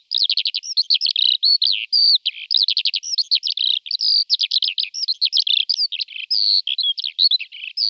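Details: A flock of Eurasian skylarks feeding in a field in Malta: continuous lively chattering of short, rippling, high chirps and buzzy trills, with notes tumbling quickly one after another and no other sounds.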